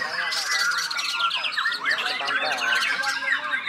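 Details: Hobby-kept white-rumped shama singing its learned imitations: a fast jumble of bright whistles, downward-slurred chips and buzzy squeaks packed closely together.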